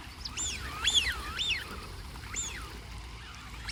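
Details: Duck calls: several rising-then-falling whistled notes, some in quick pairs, over constant low rumbling background noise.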